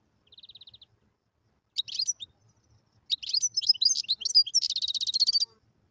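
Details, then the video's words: Song of a wild European goldfinch: a short, even trill, then a pause, then a lively jumble of high twittering notes that ends in a fast, buzzy, repeated trill. "تغريد الحسون البري"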